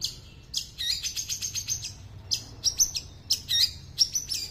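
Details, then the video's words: Long-tailed shrike imitating small birds in its song: fast clusters of sharp, high chattering chips and twitters, delivered in quick bursts separated by brief pauses. "Cendet nembak burcil"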